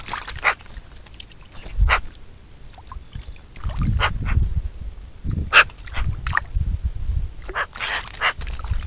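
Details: Eurasian magpie, Pica pica, uttering separate rasping chak notes spaced irregularly a second or so apart, over a low background rumble.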